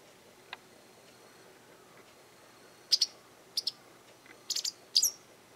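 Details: A Japanese wagtail in a garden gives harsh, rasping high calls, possibly a demand, a threat or a territorial claim; paired buzzy notes come in irregular bursts over the last few seconds after a quiet start.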